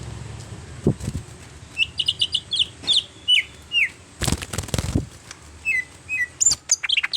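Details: Greater green leafbird, an untrained bird being brought into full song: clear whistled notes in short rising and falling phrases, broken by loud broadband clicks and rustling bursts.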